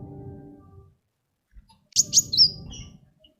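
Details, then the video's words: Sunbird singing, used to lure other birds into song: a quick trio of high, sharp whistles ending in a falling slur, preceded and accompanied by low humming and rumbling. "SUARA KOWUL GACOR ISIAN SUPER MEWAH"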